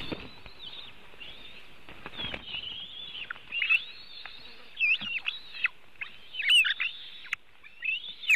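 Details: Two white-tailed eagles at a nest in Latvia, filmed by webcam on 4 July 2018 around 5 pm while one snatches part of a fish: loud, high, squealing notes in irregular bursts, some looping up and down, with light knocks.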